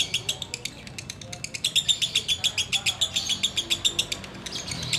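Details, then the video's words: Ngekek song of a sooty-headed bulbul: quick repeated high clicks growing stronger, joined midway by a steady thin whistled tone beneath the pulses, low hum and faint sounds behind. "Menikmati Ngekek Biang Kerok"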